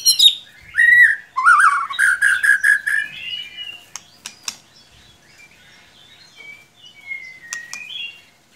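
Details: White-rumped shama lure song for stirring a quiet bird to sing: a loud opening of rich downslurred and rapidly repeated whistled notes, then a few sharp clicks and thin drawn-out whistles fading away.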